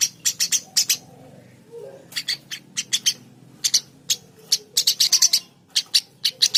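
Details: Eurasian tree sparrow giving scattered sharp chirps and short chattering runs, with a soft lower note in between.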